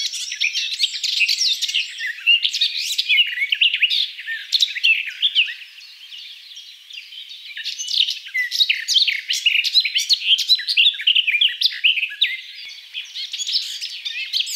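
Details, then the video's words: Sustained warbling from a Garden Warbler, a long rambling flow of fast, mellow and scratchy notes mixed together, briefly softening midway before resuming at full strength, no other sounds heard. "Garden Warbler (Sylvia borin)"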